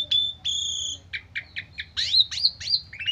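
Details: Asian pied starling in a full-fill stress song for luring other birds: two long level whistles, then a run of short clipped notes and several sharp upswept whistles repeated about every third of a second.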